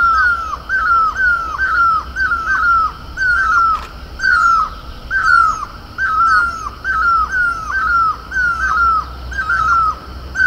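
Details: Great barbet, known in Garhwal as mewli, on horse chestnut blossom in Uttarakhand: loud mewing downslurred notes in steady pairs, about one per second throughout, with faint higher chatter in the background.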